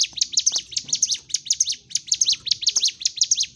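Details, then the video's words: Sunda warbler in energetic fighting-mode song, used to provoke stalled birds into singing; rapid high-pitched chirps and zigzag notes pour out almost continuously, with soft low background rumble. "CIGUN / CIBLEK GUNUNG GACOR TARUNG l Terapi Untuk Pancing EM0SI Burung MACET"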